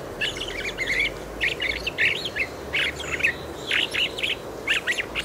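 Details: A fieldfare gives its quiet, muttered subsong in a Moscow park in March 2023: rambling scratchy chirps and squeaky notes in short bursts, with a steady low rushing background.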